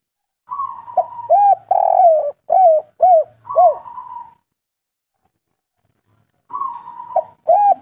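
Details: Spotted dove, a local bird, cooing repeatedly: a drawn-out falling coo followed by several short rounded hooting notes in quick succession, a pause of two seconds, then the pattern starting again.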